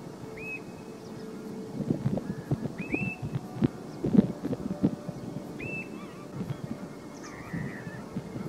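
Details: Two European golden plovers calling each other on the Lezíria marshland at Ponta da Erva, Portugal, 9 November 2019: four soft, plaintive whistled 'tlüi' calls, rising then dipping, a couple of seconds apart, over low wind rumble and knocks.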